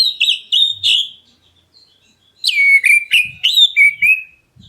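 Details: Black-breasted Oriental magpie-robin calling to provoke other birds into answering: loud, sweet whistled notes sliding downward, a burst of three, a pause of over a second, then a faster run of about six slurred, chattering whistles.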